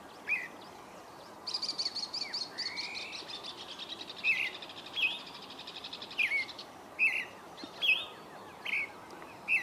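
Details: Creamy-bellied thrush singing at dawn: short clear whistled and slurred notes near the upper-middle range, repeated roughly once a second, with a rising glide and a stretch of dense buzzy trilling early on, over steady background hiss.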